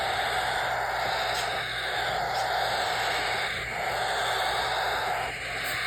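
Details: Steady broadband hiss with a low electrical hum and faint high tones throughout, and no clear animal call.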